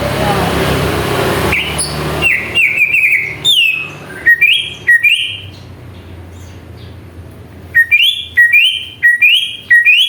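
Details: Greater green leafbird lure song meant to agitate other birds: after an opening rush of noise come bright, rising whistles. They repeat in quick runs, with a quiet stretch in the middle before the series resumes.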